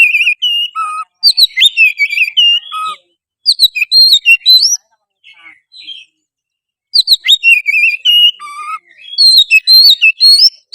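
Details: Oriental magpie-robin in continuous challenging song, used to make a stubborn bird sing, fight and open its tail: long rapid sequences of varied whistles, warbled slurs and sharp chips, with repeated phrases and one short pause in the middle.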